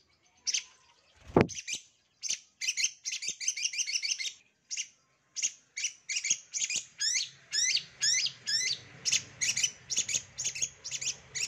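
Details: Long-tailed shrike master song used as a lure to get other shrikes singing: rapid, varied chattering with scratchy trills and quick notes, densely packed and speeding up, over a faint low hum.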